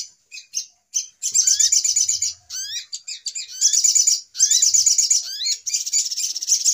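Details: Brown-throated sunbird (sogok ontong), noisy lure call used for bird trapping: high, dense twittering chatter in rapid bursts, mixed with thin slurred whistles sliding upward, broken by short pauses between busy sequences.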